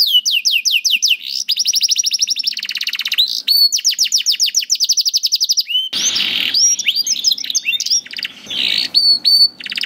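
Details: Canary singing for training young canaries: rapid trilled runs of descending notes, a buzzy rattle, then sharper rising notes with a rougher, noisier stretch later.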